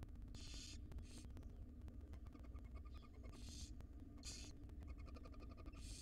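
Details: Wild female barn owl gently feeding her tiny chicks in a monitored nest box; short harsh hissing bursts come in irregular bouts over a steady low hum.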